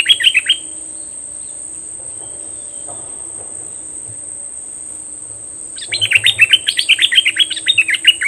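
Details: Decoy bulbul calling toward wild birds: a brief burst of chirps, a long quiet stretch with a steady high whine, then a fast run of bright down-slurred notes, roughly four per second.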